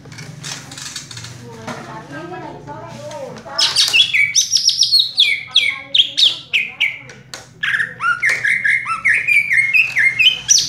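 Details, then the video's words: Cucak ijo, the green leafbird, kept in a cage and singing "raja tembak": softer muddled warbling with background murmur at first, then loud fast bursts of sharp, high whistled notes in rapid sequence. "cucak ijo " raja tembak ""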